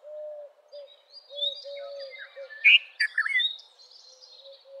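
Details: Red-vented bulbul sings a quick cluster of loud, rolling notes midway. A low, soft cooing-like whistle repeats beneath it, with faint high twitters from other birds.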